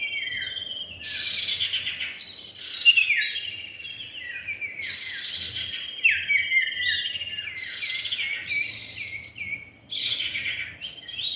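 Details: Common iora, male and female, in a lure recording: four loud bursts of bright whistled notes, each phrase falling in pitch, separated by brief gaps, with a constant thin drone behind.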